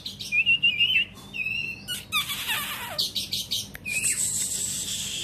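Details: Oriental magpie-robin singing and spreading its tail: a quick warbled trill of high notes, clear sliding whistles, then dense harsh buzzy bursts and a final rising whistle over hissing noise.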